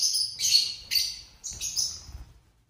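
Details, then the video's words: Pet lovebirds at dinner time, giving loud, scratchy high chirps in three quick bursts over a low rumbling background of movement. "Lovebirds dinner time | lovebird singing & chirping sounds"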